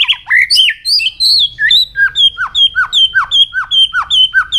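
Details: Loud white-rumped shama training song meant to drive fast, intense, many-voiced singing: varied whistles give way to a steady series of high notes, each followed by a dropping slurred note.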